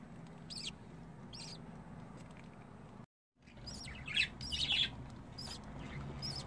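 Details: Budgerigar babies calling with scattered thin, high chirps, a brief silent break midway, then a denser cluster of squeaky peeps over low background hum.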